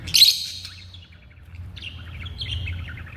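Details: African lovebirds kept as pets: a loud harsh shriek opens, then a run of rapid high chattering twitters after a short pause, with low background hum.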